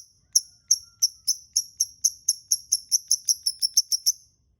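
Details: Lovebird calls used as a lure to prompt other lovebirds to sing: a quick series of about sixteen sharp, high, clean chirps that speed up steadily and stop abruptly, with faint low rumble underneath.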